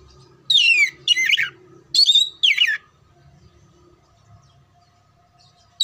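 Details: Training song of an oriental magpie-robin for contests: four rapid descending whistled notes, then a quiet stretch with a faint hum and a final note at the end.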